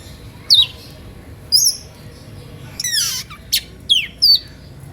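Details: Oriental magpie-robin in emotional, energetic song meant to provoke other magpie-robins into singing; separate loud high whistles and sharp descending sweeps, about six phrases spaced by short pauses, quiet background.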